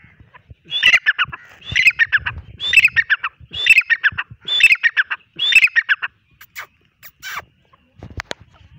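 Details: A hand-raised partridge perched on a person's hand gives loud, harsh chattering phrases, six in a row about once a second, each a quick burst of rasping notes, followed by fainter scattered notes and a sharp click near the end.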